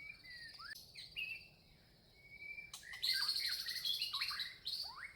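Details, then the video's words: A Red-vented bulbul, a small Indian bird, gives quick, bright chirps and short rising whistles, several notes a second, over a steady high insect-like hiss. "Red-vented bulbul- Birds Chirping"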